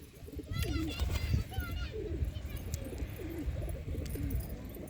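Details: Pigeons kept in a village in Maharashtra, India; low repeated throaty coos rolling on through the clip, with higher chirping birds and a man talking over them.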